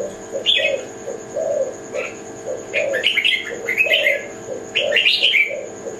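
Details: Low, mellow cooing from a spotted dove of the Kelantan type, evenly repeated, with loud high chirping and trilled phrases of other songbirds mixed in.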